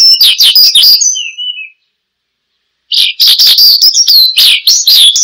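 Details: Oriental skylark singing steadily, presented as a lure and tutor sound for caged birds: fast, high, chattering warbles, then a thin downward-sliding whistle and a silent gap of about a second before the rapid phrases resume.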